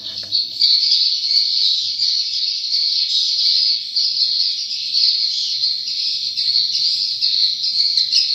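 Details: Swiftlets calling in a dense, unbroken twittering chorus of high, buzzy chirps that overlap steadily for the whole stretch, with no pauses and no other clear sounds.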